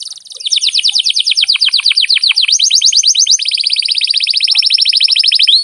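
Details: Canary singing steadily in a long training recording meant to prompt young birds to sing: fast rolling trills of many repeated notes, first bouncy and downslurred, then a tighter, even, high roll ending with one rising note.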